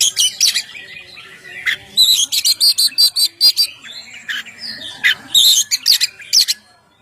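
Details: Loud ngeplong song of an oriental magpie-robin, a lure to attract birds and make them sing; harsh bursts open into a run of ringing repeated notes, followed by more scratchy, varied phrases.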